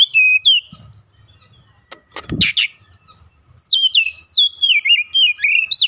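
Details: Young oriental magpie-robin in song: short whistled phrase, then a passing vehicle-like swish, then a long fast run of varied downslurred and rising whistles.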